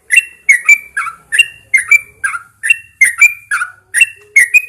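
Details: Early-morning song of a caged Yellow-vented Bulbul hung outside in fresh air: a steady run of short, liquid chirping phrases, about two each second, each dipping and rising in pitch.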